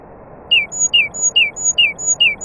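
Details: Nightingale singing among other birds: a series of five sharp, down-slurred chirps about 0.4 seconds apart, each followed by a thin, high, level whistle, over a steady background hiss.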